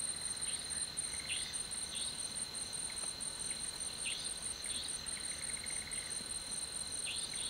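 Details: Nightjar calling in the dead of night in the jungle of Panna National Park, India: sharp, whiplash-like notes curving down and up, repeated roughly every half second to second, with short rapid ticking runs, over a steady high cricket drone.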